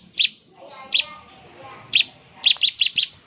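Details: Bar-winged prinia ngebren song for prompting prinias to answer: a few scattered buzzy high chips, then a quick run of four rattled notes at the end.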